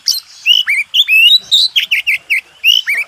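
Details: Oriental magpie-robin, a champion contest bird, singing a master song: loud varied whistled phrases, rising and falling slurs and sharp notes in quick succession, clean background.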